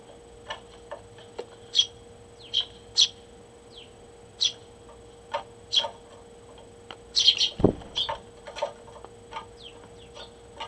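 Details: Sparrows waking the household on a June 6, 2023 morning, fed by people: scattered short bright chirps, some sharp and buzzy, spaced irregularly over a steady low hum, with a brief thump near the middle.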